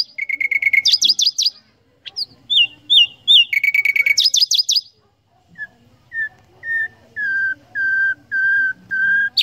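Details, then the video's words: Nightingale phrases of rapid rattling notes and buzzy bursts, followed after a pause by slow, evenly spaced fuller whistled notes. "Common Nightingale Songs"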